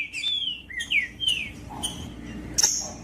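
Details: Green-winged saltator, sung to excite cold captive birds before tournaments: three separate downslurred whistles spaced about half a second apart, followed by a short high sharp note, over quiet hum.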